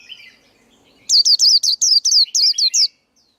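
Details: High, clear male white-eye song, used for coaching young birds and as a trapping lure. A burst of about eight rapid, looping whistled notes follows a quiet chattering start, then stops abruptly.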